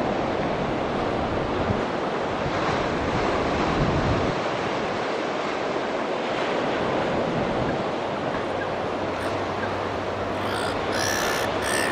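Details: Steady roar of surf and wind across the whole stretch, with no clear animal call standing out.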